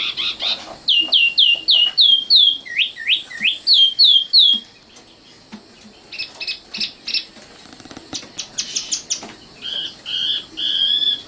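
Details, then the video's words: Common nightingale, called sikatan londo, singing a rapid string of repeated, upward-hooked notes, then a pause, a set of sharp clicking notes, and a final warbled phrase. "kicau burung sikatan londo"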